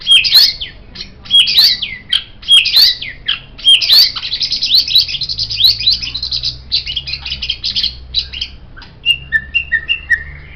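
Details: White-rumped shama singing as a model for tutoring songbirds: repeated upslurred high whistles, then a long fast chattering trill, ending in short descending whistled notes; low hum beneath.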